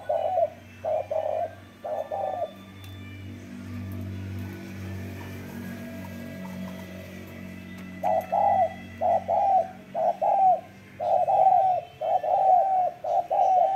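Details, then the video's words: Spotted dove, called a strong cooer, uttering clusters of soft, rounded coos at the start, then a long pause filled by a low steady hum, before a quicker series of repeated coos resumes. "CHIM CU GÁY SIÊU GÙ"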